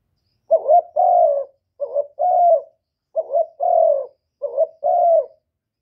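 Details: Spotted dove, Cà Mau, Vietnam, calling to provoke rival birds: four quick phrases in steady succession, each a brief stuttering double note followed by a longer low, mellow coo, recorded cleanly without background sound.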